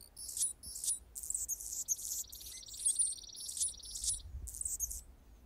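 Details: Anna's hummingbird perched on a branch, singing a string of thin, dry, buzzy squeaks about every half second, with a fine high whine running through the middle, against soft background.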